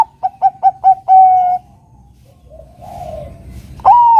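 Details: Singing Bangkok zebra dove, played to lure a rival into singing: four quick staccato coos speeding into a drawn-out steady note, a quiet gap with soft low murmurs, then a loud rising-then-falling coo.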